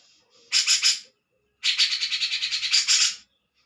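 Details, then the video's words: A grey-cheeked bulbul delivers two loud buzzy, rattling bursts, the second longer with rapid pulses, separated by a short pause. "Burung Cak jenggot"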